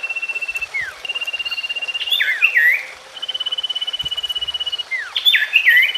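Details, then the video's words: Common iora song played to coax a silent bird back into song: rapid level trills repeated several times, each ended by swooping and curling whistled phrases. "SIRTU/CIPOH BAHAN ATAU MACET BUNYI KEMBALI"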